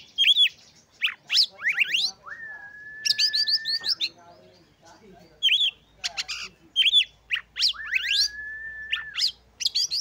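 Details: Oriental magpie-robin (kacer) singing to provoke other magpie-robins and boost their breeding urge; arched whistles, rising sweeps and two long steady flat whistles about two seconds each, mixed with harsh buzzy bursts.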